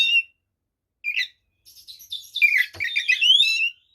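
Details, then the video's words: White-rumped shama, called kacer, in provoking song aimed at other shamas: scattered chirps, then a continuous tumbling run of buzzy trills and rising whistles with one sharp click. "SUARA BURUNG kacer gacor TARUNG FULL ISIAN ini PALING AMPUH MEMBUAT KACER EMOSI"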